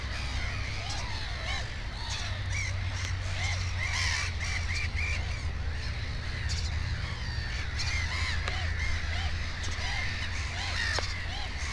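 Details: Black-headed gull at a nest holding two chicks: a dense run of rasping, down-slurred calls, several birds overlapping almost continuously, with a constant low-frequency drone beneath.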